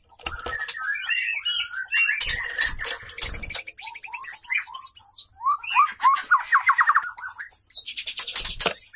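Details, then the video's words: Female white-rumped shama singing to draw males into song; tumbling whistled notes, a long buzzy rattling trill, then high thin chatter, with knocks and rustling throughout. "Proses kawin murai batu jantan merayu betina | murai betina gacor"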